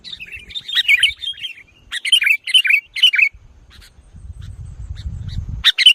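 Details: Sooty-headed bulbul, a kutilang, delivering 'nggaruda'-style song: a warbled opening phrase, then a series of loud, clipped, chirping phrases, a pause with low background rumble, and a final sharp burst.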